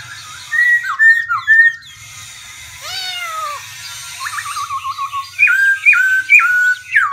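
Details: Varied song of a Black-throated laughingthrush that keeps changing its voice: short clear whistles, a long descending slur, a buzzy wavering passage, then a run of sharp rising whistled notes, with a faint low hum behind.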